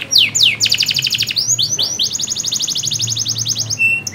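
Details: Lively canary song played to stimulate a canary that will not sing, with swooping descending notes, a rapid even trill, upswept slurs and a long fast rattle ending in a thin steady whistle.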